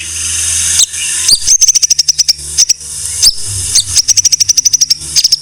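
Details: White-rumped shama song used as a training recording for songbirds: bright high notes above a hiss, with runs of rapid sharp clicks and short repeated whistles, pausing between bursts.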